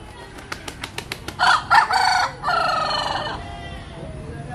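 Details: Rooster flapping its wings in a run of sharp beats, then crowing loudly: two short harsh syllables followed by a long, level, drawn-out final note, with faint background noise.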